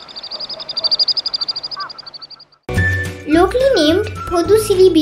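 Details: A common sandpiper in Sri Lanka gives a high, thin, rapid trill of about twenty quick notes in two and a half seconds, followed by a child-like tune and a voice.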